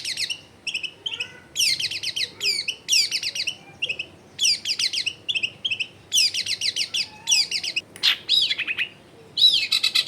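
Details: Long-tailed shrike song played to make silent shrikes join in: dense bursts of rich, buzzy warbling notes in rapid clusters, broken by short pauses, ending in a looping whistled phrase. Recorded at a home in a densely populated area.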